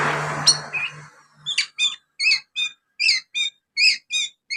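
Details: Young Oriental magpie-robin imitating house sparrow calls: after a noisy start, clipped high chirps repeat roughly every half second in a steady, sparrow-like series.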